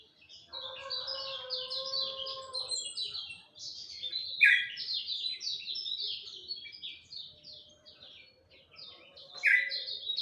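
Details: High, rapid chattering song of a lemon-bellied white-eye at dawn, with repeated quick chirps and occasional loud slurred notes; a rooster crows faintly at the start.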